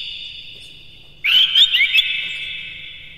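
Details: Morning song of a captive Oriental magpie-robin, played as a lure so caged birds sing and fan their tails. A single loud burst of quick, twisting whistles rises out of near-silence and then fades into a ringing tail.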